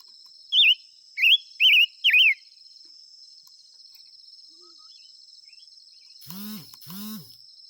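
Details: Five-coloured bird song: four loud, twisting whistled phrases in quick succession, then silence apart from a steady high insect hum, ending with two short low human vocal sounds.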